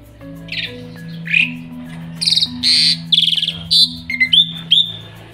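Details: Asian pied starling acting as a yard guard, singing when someone walks past; a lively sequence of whistles, harsh buzzy bursts and rising notes, about a dozen elements, over a steady music drone.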